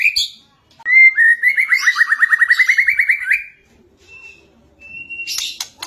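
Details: A white-rumped shama delivers an energetic fighting song meant for tutoring caged birds: a sudden loud rattling trill of quick even notes lasting over two seconds, followed by quieter thin whistles and a brief harsh burst at the end.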